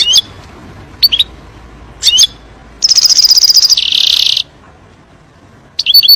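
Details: European goldfinch song for teaching young birds. Short high chirps come about once a second, then a rapid shimmering trill merges into a buzzy, hissing stretch. More chirps follow over a low background hum.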